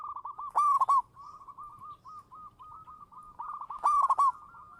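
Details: Lure recording of a champion local zebra dove: a loud rippling burst of coos, then a long even string of soft, regularly spaced short notes at one pitch, closing with a second loud burst.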